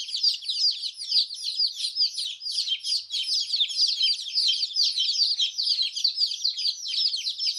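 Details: Many colourful chicks peeping at once, their high-pitched, rapid chirps overlapping into a steady, unbroken chatter throughout, with no other sounds.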